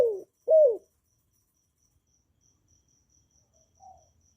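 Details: Spotted dove used by keepers to prompt new doves to sing, recorded without background noise: two loud low falling coos at the start, then near silence with a faint distant hoot and a soft high ticking.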